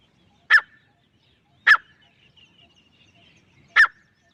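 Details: Male and female grey francolin: three isolated, loud, rasping notes, the first two about a second apart and the third after a two-second gap, with near silence between them.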